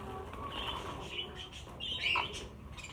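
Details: Caged budgerigars, a group of around fifty during transfer to a larger flight cage, twitter softly, then give a louder squeaky, wavering call past the midpoint, with low background noise.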